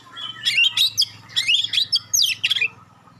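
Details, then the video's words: Magpie-robin giving sharp 'tembakan' and clear notes that spur other magpie-robins to respond: quick rising whistles and chatters in three short bursts over a noticeable low electrical hum. "suara tembakan tajam juga suara jernih bikin kacer lain langsung respon ngobra"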